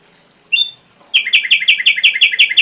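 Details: Ashy drongo, recorded as tutor song for songbirds, gives a couple of thin high notes, then a rapid chattering run of sharp, downslurred chirps repeated about six per second.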